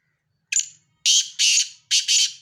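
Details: Black francolin from Sindh, Pakistan, giving its call: one sharp clipped note, a brief pause, then two pairs of loud, rasping, broadband bursts in a steady rhythm against an otherwise quiet background.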